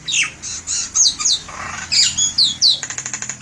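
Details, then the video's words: Lively, melodious Javan myna song suited as a lure: squeaky whistles and harsh downslurred squawks in quick succession, a short buzzy note, then a rapid rattling series of about ten clicks to close. "SUARA MERDU BURUNG JALAK KEBO SUPER GACOR"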